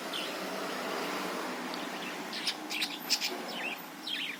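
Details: Budgerigar singing, played as a lure to train other birds and spur them into song; short high chirps and squeaky rising and falling notes come in an uneven run, over a soft constant hiss.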